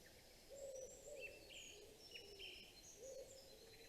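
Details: Greater spotted eagle at its nest on 26 April 2020, arriving to take its turn incubating and giving a sky-call telling its mate to fly off: low, hollow, yelping notes about once a second, with thin high songbird twitters behind.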